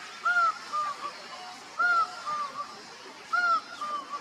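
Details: In Costa Rica, a laughing falcon calling to others repeats a loud, nasal two-note call, a higher note dropping to a lower one, about every second and a half.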